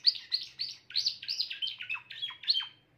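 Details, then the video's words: Song of a grey Timbrado canary, a steady series of loud warbled syllables, many sliding downward, delivered about three per second with a soft low hum beneath. "meilleur chant canari timbrado l chant d'un canari timbrado gris"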